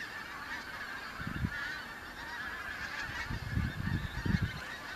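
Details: Kelvin Valley, North Glasgow, 25 September 2021: a flock of newly arrived autumn migrant pink-footed geese calls in a continuous overlapping chorus of honks, over repeated low buffeting wind rumbles.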